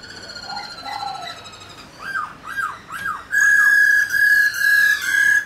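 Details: Singing Black-throated laughingthrush used to rouse caged birds into song: soft warbled notes, then three arched, slurred whistles and a sustained, loud, level whistle broken into long repeated bursts.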